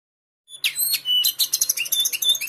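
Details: Captive lesser shortwing kept in a Pekanbaru collection, praised for its very melodious song. After a brief silence, rapid high jumbled warbling starts, with dense sweeping and chipping notes in quick succession.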